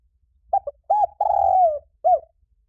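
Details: Spotted dove call for training and provoking doves: a clipped double note, a rounded coo, a long coo sliding down in pitch, then one last short hoot.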